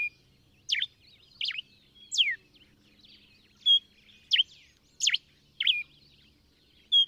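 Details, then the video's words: Common diuca finch from Chile singing: a series of loud, sharp whistled notes, each sweeping steeply downward, given roughly every half second to second with short pauses, over a quiet background with faint low hum. "Diuca canto"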